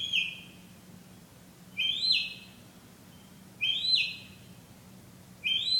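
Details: A night-singing bird gives loud, clear, high whistled phrases, each with a quick rising and falling twist, repeated about every two seconds over quiet background hum.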